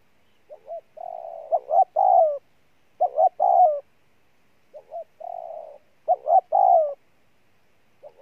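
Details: Spotted dove 'gù' calling: soft paired notes, a level sustained coo, then sharp double notes and a descending coo, each phrase returning after about a second of silence.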